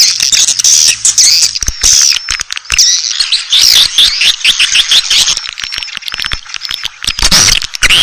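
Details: Asian swiftlet call for luring birds: busy high chirping with short whistled notes and twitters, broken by clicking pulses, loud and steady across the whole stretch.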